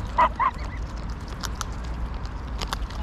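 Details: Greylag geese at Pearson Park in Hull, England, on 22 August 2021, recorded with a GoPro Hero9: two short, nasal honks in quick succession at the start, then only faint background rumble and scattered clicks.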